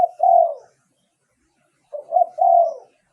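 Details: Decoy cooing of a spotted dove for luring wild birds. The end of one phrase opens the clip. A full three-note phrase follows, soft and hollow, with a short lead note, a brief rise and a drawn-out final coo. No other sounds are heard.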